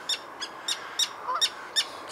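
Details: Agitated Common Terns diving at a person near their colony, rapid harsh clipped calls about every third of a second, bright and rasping, one lower brief note in the middle.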